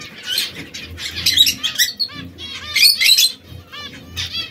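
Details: Chatter from three canaries coloured red, yellow and brown: clusters of sharp high chirps and short down-slurred whistles come in bursts with brief pauses, plus a faint low hum beneath.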